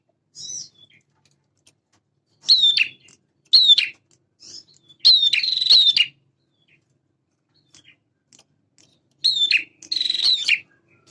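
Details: Male prinia in full song, used to stir young birds into responding: bursts of sharp, downslurred high notes each followed by a short buzzy trill, coming in uneven groups with silent gaps between them.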